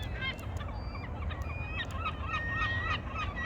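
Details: Water birds calling, a busy mix of short honking and squawking notes overlapping at mid pitch, with several birds heard and a steady low rumble of wind or water beneath.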